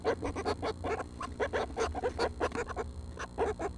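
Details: Chorus of seven Northern Flicker chicks in the nest, due to fledge within the week, early morning June 12: nasal, buzzy notes pulsing about two to three per second, uneven in rhythm, with a low background drone.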